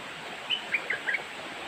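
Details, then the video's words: Young merbah lekir bulbul, a youthful singer, giving four short, bright chirped notes spaced about a quarter second apart over a steady background hiss. "merbah lekir otai muda"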